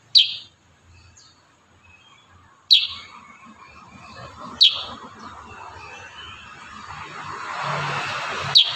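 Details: Kurincang in rapid-fire song used for tutoring cage birds: four sharp, high chirps spaced two to four seconds apart, with a rising broad hiss later.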